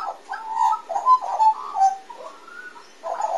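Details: A magpie in a chortling morning chorus gives rich, fluty warbling notes that rise and fall in quick bursts, with a brief pause before another tumbling phrase.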